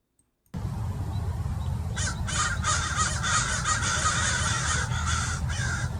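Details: A flock of at least 30 American crows mobs a perched Peregrine Falcon in Mason Regional Park, Irvine, California, giving harsh, repeated caws in a rapid, uneven, overlapping chorus over a low rumble of wind or traffic.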